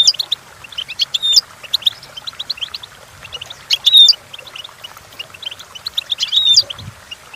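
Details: Goldfinch song used to tutor goldfinches: twittering phrases with a bright whistled flourish repeating roughly every two and a half seconds, three times, separated by softer quick chirps.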